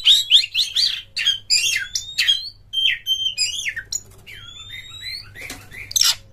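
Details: Oriental magpie-robin in loud 'ngeplong' lure song for other magpie-robins: a string of swooping whistled notes and sharp slurs, then long pure rising whistles and a final burst, over a low hum.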